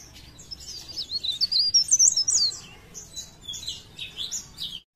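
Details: Leaf warbler (cikrak daun) from Pare Pare, singing actively in blereng style: high, thin twittering phrases of rapid wavering whistles, bursts separated by short pauses, ending abruptly.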